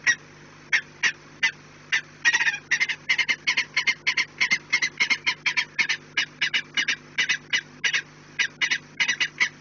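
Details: Peregrine falcons at the nest, 4 March 2019, 16:28. Scattered sharp notes build into a fast, dense run of grating kak-kak calls, then ease back to spaced single notes.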